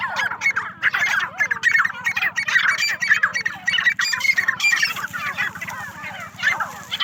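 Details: Farm-kept partridges keep up a thick, continuous chorus of harsh, squeaky chattering calls from many birds at once, over a low droning hum.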